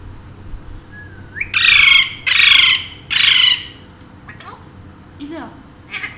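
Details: Pet Alexandrine parakeet, one of two kept at home, gives three loud, harsh, drawn-out squawks about half a second apart. Faint chirps and soft household noise follow.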